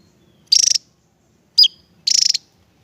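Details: Javan tesia song, from a bird prized as a song tutor for other birds: two fast, buzzy, high trills about one and a half seconds apart, with a single sharp, slurred note between them.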